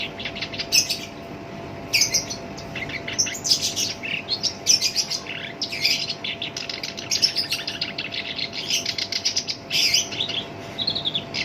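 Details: Black-browed reed warbler in captivity delivering its rough-voiced song, valued as a lure and tutor for other songbirds: sustained, dense, grating chatter and shrill chirps in long phrases broken by short pauses.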